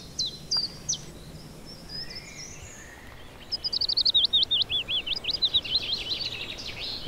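A Common Chiffchaff gives a quick string of high, alternating chip notes, about three a second, after scattered thin chirps from other birds.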